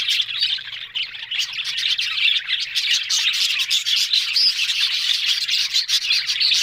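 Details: On October 1, budgerigars keep up a steady, dense chorus of high, warbling chatter with rapid clicks, starting a little softer and building to a constant busy twitter.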